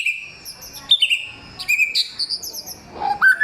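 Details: Samyong giving a clear, loud song with forest-bird material: high thin whistles and sharp chips, then a rising whistle near the end.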